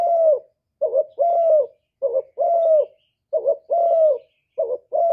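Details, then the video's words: Spotted dove giving a full song of calling, urging and cooing in the hạp bổi voice, recorded live without background noise; rapid run of about six low paired coos, short note then longer falling note, under a second apart. "Cu Gáy Giọng Hạp Bổi ĐỦ BÀI (GỌI +THÚC + GÙ)"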